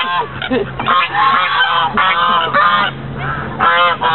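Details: White geese in Fremont, California, at Lake Elizabeth in late November 2013, calling with raucous, overlapping nasal honks in repeated bursts, the flock noisy throughout.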